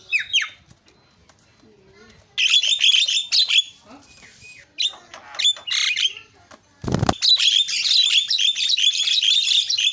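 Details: Javan myna varied song used to provoke other mynas: a few sharp calls, then bursts of loud harsh chattering and whistles, a brief loud thump, and continuous dense chatter to the end.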